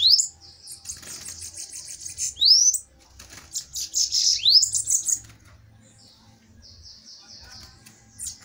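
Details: Two bananaquits in a song fight, overlapping high wiry buzzy trills broken by quick rising whistled slurs, then sparser thin notes and quiet gaps toward the end.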